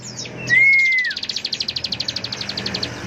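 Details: Ciblek (bar-winged prinia) singing ngebren: a long smooth whistle sliding down, then a fast, even rattling trill of high notes lasting about two seconds; faint low hum behind.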